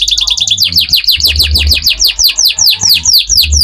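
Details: Canary singing as a lure to set other canaries singing: a fast run of downward-sweeping whistled notes, several per second, under a low steady hum.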